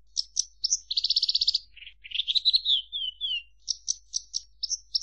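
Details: Branjangan, known in English as Javan bush lark, mixing sharp chips, a rapid buzzy trill, falling whistled slurs and rhythmic high notes at about four per second, with a brief silent gap.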